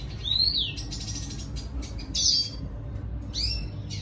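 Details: Red siskin song aimed at a female: a few clear whistled notes that rise then fall, separated by short gaps, over a low humming background.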